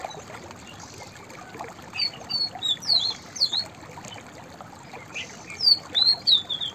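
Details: White-browed fantail song of two phrases. Each is a string of high, thin whistles that climb and then tumble downward, with a few seconds of quiet hiss in between.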